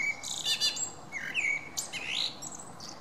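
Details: Common blackbird recorded in Berlin on 10 June 2017, singing mixed warbling phrases: high squeaky notes followed by lower fluting whistles, with a continuous faint hiss in the background.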